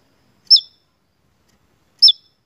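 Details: Javan tesia in active song, used as a lure recording for songbird keepers: two sharp, bright notes, each a quick downward-curving chirp, spaced about a second and a half apart against a silent background.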